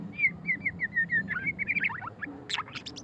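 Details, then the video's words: Murai batu pastol (white-rumped shama) delivering ngeriwik song: a string of clear, repeated down-slurred whistles, then quick tumbling notes and a burst of high sharp chips. "suara kicauan burung murai batu pastol ngeriwik - white-rumped shama"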